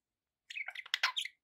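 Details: A short, soft budgie chatter: one second of warbled, buzzy notes sliding around, slightly muffled.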